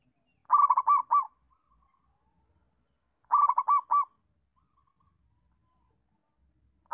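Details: Zebra dove call for teaching other doves to vocalize: two rolling phrases of rapid stuttering coos ending in a separated final note, about three seconds apart, with a third starting at the end; quiet background.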